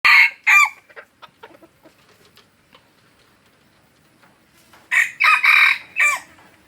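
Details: Junglefowl from Aceh, a decoy (pikat) bird: two loud hoarse crow bursts open the recording, soft clucks and ticks fill a quiet middle, then a longer run of four harsh crowing notes near the end.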